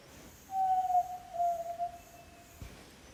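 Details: Yellow-legged tinamou (Jaó do Sul) from Rio Doce State Park, Brazil, giving a single long, low, steady whistled note that falls slightly and wavers mid-way, lasting about two seconds over a quiet background.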